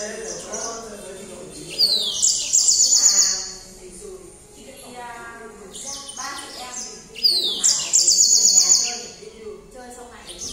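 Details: Yellow canary heard at night giving two loud phrases of rapid buzzy trills introduced by falling whistles, with a woman speaking during the pauses between phrases.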